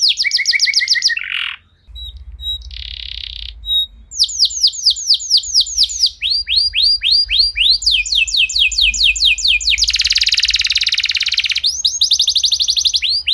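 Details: Long canary song used to get other canaries singing: varied phrases of fast trills, brief buzzy bursts, pure held notes, and runs of repeated falling whistles, with a low hum underneath.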